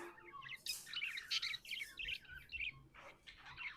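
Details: Budgies warble softly at a distance, a tumbling mix of quick squeaks, clicks and high chirps in short clustered phrases over low background noise.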